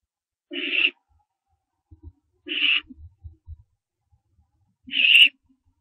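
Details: Barn owlets near the nest in the early morning of 15 September 2011 as one begins branching; three loud raspy hissing screeches about two seconds apart over faint bumps and scratching.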